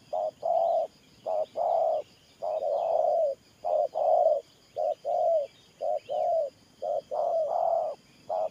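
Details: Decoy spotted dove delivering 'Thổ Pha Nước Gù' coos: low hollow notes, a brief lead note followed by a drawn-out one, less evenly spaced, with light chirping birds behind.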